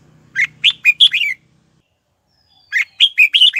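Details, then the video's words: Red-whiskered bulbul song used to draw wild birds in to fight: two quick phrases of five or six bright, clipped whistled notes, separated by about a second of silence, with a faint low hum early on. "Chào Mào Mồi Hót Tìm Chim Rừng Về Đấu"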